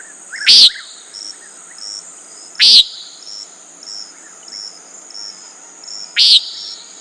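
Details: Common nighthawk repeating a brief, rasping peent three times at irregular intervals of two to three and a half seconds, with a droning insect chorus throughout.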